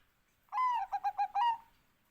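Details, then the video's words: Bangkok-type zebra dove gives one clear cooing phrase: a long sliding opening note, three quick rounded notes, then a longer closing note, rich in overtones, against a quiet background. "OCEHAN BURUNG PERKUTUT BANGKOK"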